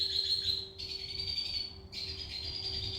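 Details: Red siskin singing in energetic gacor style with isian filling: a continuous high, thin twitter, broken by a short pause, over a low steady hum.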